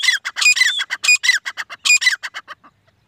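A black francolin gives a loud, harsh, grating call of rapid clicking and squawking notes, about two and a half seconds long, fading out at the end.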